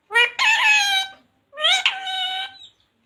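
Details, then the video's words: Parrot imitating human speech, saying "Radhe Radhe" or "Sita Ram": two drawn-out, nasal, voice-like syllables about a second each, separated by a short silence. "Parrot Talking Radhe Radhe || राधे-राधे बोलने वाला मिट्ठू || Parrot Talking Sita ram"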